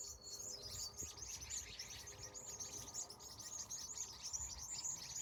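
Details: High twittering from numerous birds during a California sunset, an unbroken stream of thin, overlapping chirps with faint low hum beneath.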